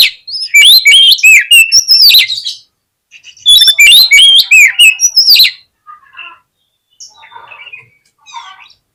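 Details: Oriental magpie-robin lure song for goading tail-shy birds into fighting: two loud bursts of rapid, high whistled slurs and sharp chips, each lasting about two seconds, then quieter scattered notes.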